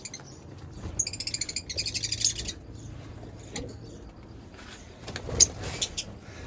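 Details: Lovebird chirping, a quick rattling run of high notes followed by scattered sharp chirps, over a low hum and light background noise.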